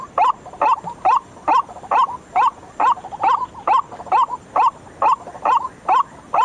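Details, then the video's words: White-breasted waterhen calls used as a night-time lure: loud, harsh, nasal croaks repeated steadily about twice per second, each note with a short bend, quieter grunts between them. "suara pikat ruak ruak langsung ngikut"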